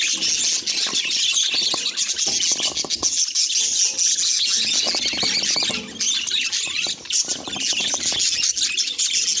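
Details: Budgerigar flock chatter, dense and unbroken: overlapping high chirps, squeaky warbles and scratchy notes that stay loud throughout, with faint low rustling underneath.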